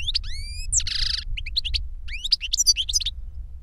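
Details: Goldfinch song aimed at a younger bird by an older one: a rising whistle with clear overtones, a harsh buzzy wheeze, then bright twittering notes tumbling up and down, with faint low background rumble.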